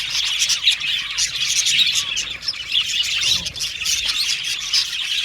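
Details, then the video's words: Continuous budgerigar chirping, many birds twittering at once with rapid squeaky notes and short warbles, the level wavering slightly. "Happy Budgies Chirping Sound | Budgies Sound For Lonely Budgies Birds"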